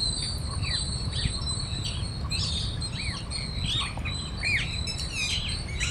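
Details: Parrots in a flock feeding on grains at Cubbon Park, Bangalore, Karnataka, India, with a squirrel nearby; scattered short arched chirps and squawks overlap against a steady low rumble of background noise.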